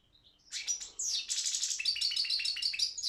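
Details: Goldfinch of the Balkan subspecies Carduelis carduelis balcanica, entered in an internet song championship: a fast, high twittering song with buzzy trills and tinkling notes, starting after a few soft chirps.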